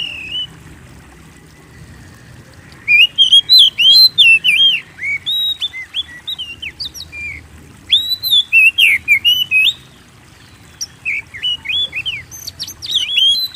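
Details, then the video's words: Oriental magpie-robin singing steadily, a lure meant to provoke singing in other birds; quick clusters of bright up-and-down whistles and clicks in three bursts separated by short silences. "Pancing Burung Kacer Gacor"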